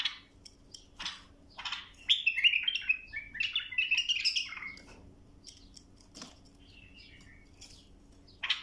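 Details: Bulbul song for teaching young birds: scattered sharp chip notes lead into a dense, bubbling run of whistled and warbled notes, then sparse clicks and a final burst.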